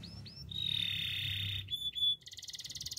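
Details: Canary song beginning with two short rising whistles, then a long, steady, slightly buzzy roll, a few brief clipped notes and a rapid, high, evenly pulsed trill at the end.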